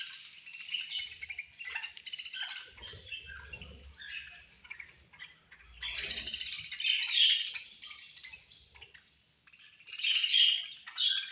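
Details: Several budgerigars at feeding time give rapid, high twittering chirps and scratchy warbles, rising in loud surges and dropping back, with low rustling sounds between bursts.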